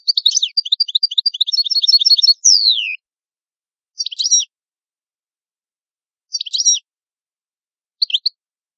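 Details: An Italian goldfinch (cardellino) sings a fast run of repeated tinkling notes, then a long downward-sliding whistle, followed by three short chirpy phrases spaced a couple of seconds apart on a clean, quiet background.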